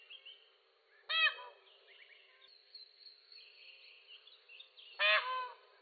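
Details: Two sharp, abrupt peacock screams about four seconds apart, harsh and nasal, a cry said to come before thunderstorms or rain; many small birds keep up steady chirping and warbling in the background.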